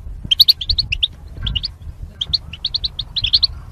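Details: Goldfinch song used to train caged songbirds and chicks: rapid strings of sharp, high chirps in quick clusters with brief pauses between them.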